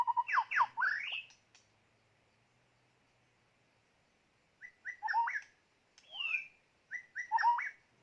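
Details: White-rumped shama in a decoy-trapping setting, giving short phrases of rich whistled, swooping notes separated by several seconds of silence.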